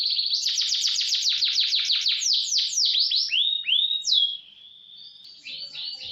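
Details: Canary training song with roll and speed: a rapid run of repeated sweeping notes slowing into longer upslurred whistles, then a soft high ending.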